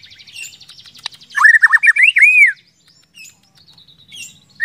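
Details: White-rumped shama singing as a lure to get other shamas singing: a high thin trill gives way to a loud burst of rapid looping whistles, then quiet before a last whistled note begins.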